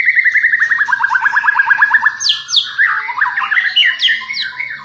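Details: White-rumped shama song used to provoke a response from other shamas, a champion bird's voice: a fast run of repeated descending whistled notes, then varied rising and falling phrases with sharp high sweeps.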